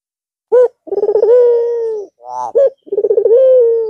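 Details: Barbary dove, white with red eyes, cooing again after a long rest over the Eid holiday: a short low coo, then a rolling stuttered series sliding into a long steady low hoot, repeated twice.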